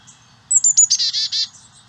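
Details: Carolina chickadees feeding babies at a nest in St. Cloud, Osceola County, landscaped with native plants. A few very thin, high sweet notes run straight into a rapid string of rough, buzzy notes lasting about a second, over a quiet background.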